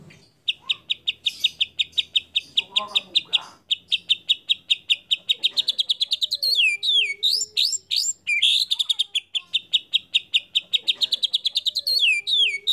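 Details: White-rumped shama singing actively, a lure recording meant to set other shamas singing: long runs of rapid, sharp, high repeated notes, punctuated by swooping whistled phrases and ending in fast clipped bursts.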